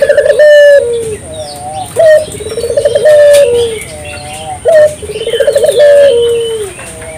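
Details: A spotted dove sings to draw local doves into singing. About three low phrases, each an emphatic coo, a quick stuttering series and a lingering note that falls away, spaced a few seconds apart.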